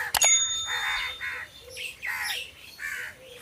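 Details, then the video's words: Crows perched in trees, giving a series of harsh, nasal caws, each roughly half a second long, in loose succession after a sharp click at the start, with faint thin whistles above. "Crow Sound Crow Ki Awaj"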